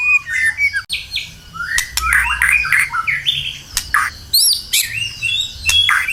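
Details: White-rumped shama lure song: a warbling stream of whistled and buzzy phrases broken by sharp clicks, with high sweeping notes near the end.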